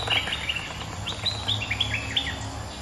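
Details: Bulbul, the resident bird responding to a rival, gives a short run of clear, slurred chirps stepping between higher and lower pitches, with faint background hum.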